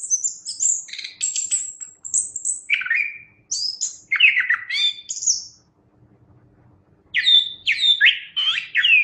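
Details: Chestnut-capped thrush song of very high thin whistles and lower slurred, descending notes in quick phrases, broken by a silent gap of about a second before a final lively burst.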